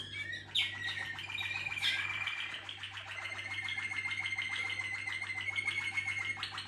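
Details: Waterslager canaries: after a few sharp opening notes comes one long, even rolling trill held at a steady high pitch for several seconds, pulsing rapidly, with lower rolling undertones.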